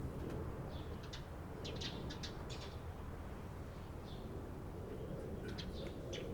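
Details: Eurasian tree sparrow recorded on 28 April 2022: short, bright chirps in loose bursts, several overlapping, over a steady low rumble of background noise.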